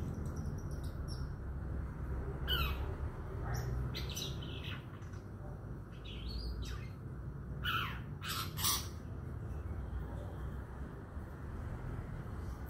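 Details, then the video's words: Young male long-tailed shrike from Madura, out of the nest stage, practising and putting together its song; a few short harsh sweeping notes near 2.5, 4 and 8 seconds over a steady low hum. "cendet lepas trotol nyusun lagu"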